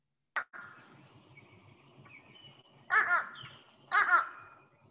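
Fish crow giving short nasal, hoarse calls, a quick doubled 'nuh-uh' heard twice about a second apart, with a faint click before and light background hiss.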